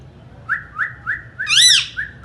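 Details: Indian ringneck parakeet, a talking parrot, giving short rising whistled notes about every quarter second, then one loud harsh arched squawk rich in overtones, followed by two more clipped whistles; quiet room hum underneath.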